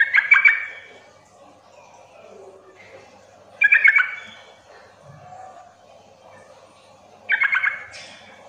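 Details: Sooty-headed bulbul call used to provoke other bulbuls into calling back: short bubbly chattering phrases about half a second long, repeated roughly every three and a half seconds, in a quiet room.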